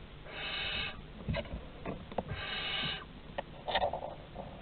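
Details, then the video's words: At a nest box in Théding, France, barn owls on 30 August 2020 produce two drawn-out rasping hisses, interspersed with clicks, taps and a short scratchy note near the end. "Bisous à 3 - 30/08/2020 - Les Chouettes Effraies de Théding"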